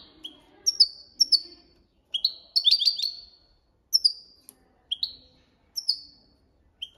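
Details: Copia malaga training song from a European goldfinch: evenly spaced upslurred chip notes and short tinkling phrases with one denser rippling trill in the middle, clear and close.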